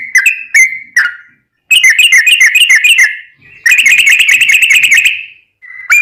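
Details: Fighting-style song of a sooty-headed bulbul with long rapid-fire 'ropel' passages, a training model for caged birds. A few whistled notes lead into two long bursts of fast, rattling repeated notes separated by short pauses.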